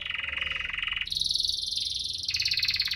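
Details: Vigorously singing canary, used to prompt canaries that are slow to sing, delivers continuous rapid rolling trills that shift abruptly from a lower pitch to a higher, brighter tour and back, with no pauses.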